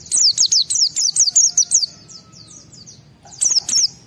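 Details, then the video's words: Agitated white-eye pouring out a fast run of high, sharp whistled notes about seven per second, fading into softer trailing notes, then a short silence and a renewed burst of two or three loud chirps. "Pleci Mental baja EMOSI Tinggi ampuh mancing semua pleci segera gacor buka paruh"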